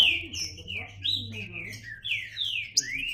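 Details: Green-winged saltator singing a run of loud slurred whistles, some sweeping down, others rising, with a steady low hum underneath.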